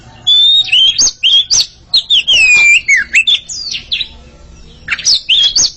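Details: Oriental magpie-robin pair competing in song: loud, varied whistled phrases with smooth slurs and sharp upward sweeps, dense bursts, a pause of about a second near the end before the song resumes.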